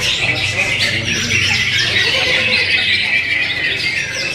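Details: Greater green leafbird pouring out fast, squawky chatter with rapid scratchy notes and brief whistles packed closely together, a busy, unbroken high-pitched jumble.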